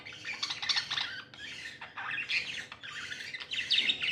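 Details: Happy budgies chatter in short bursts of buzzy, scratchy warbles and chirps, a few seconds of overlapping busy calls.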